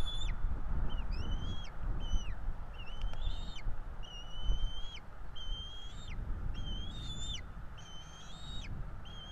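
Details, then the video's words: Two bald eagle chicks in a Florida nest call for food as a parent feeds them, 5 April 2022. Around ten high, thin whistles repeat roughly every second, several ending in an upward flick, with a constant low rumble of wind. "NEFL Bald Eagle - Bieliki"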